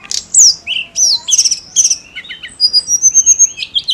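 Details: Snowy-browed flycatcher singing persistently, a song used to stir other songbirds: high, thin whistled notes, quick slurred rising and falling phrases, short buzzy trills and a run of sharp chips, delivered in rapid bursts against a quiet background.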